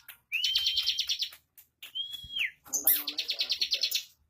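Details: Bar-winged prinia, a caged contest bird, with rapid high chattering trills, a clear level whistle sliding down at its end, then another fast buzzy run.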